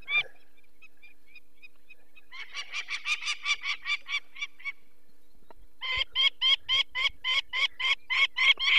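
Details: Peregrine falcon disturbed at its nest in the Barycz Valley on 2 May 2023 as people take away one of four chicks. A few soft notes are followed by a fast run of harsh kek calls, a brief pause, then another loud, rapid series.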